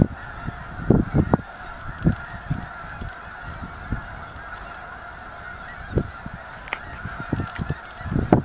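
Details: Snow geese in great numbers at Anahuac National Wildlife Refuge, alongside ducks, keep up an unbroken chorus of blended nasal honks, with gusty low-frequency wind noise and scattered handling bumps throughout.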